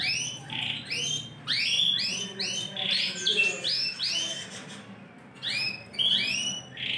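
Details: Yorkshire canary of large size with a TKF ring sings loud upswept whistles and buzzy bursts in uneven phrases separated by short pauses.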